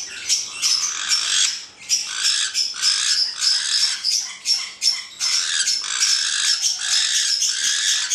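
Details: Two black-headed caiques giving continuous harsh, grating squawks in long bursts separated by brief pauses.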